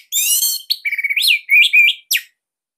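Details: Orange-headed thrush from Bali, a master recording used to train captive birds, sings a rich varied phrase: a buzzy high opening, then clear whistled notes rising and falling, ending in a sharp downward flick.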